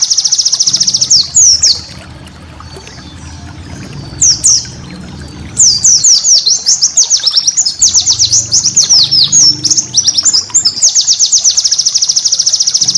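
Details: White-eye master song for training cage birds, packed with special bursts: high, rapid chattering trills and repeated downslurred twitters, a steady fast pulsed rattle opening and closing, with a quiet lull near the start and low background hum.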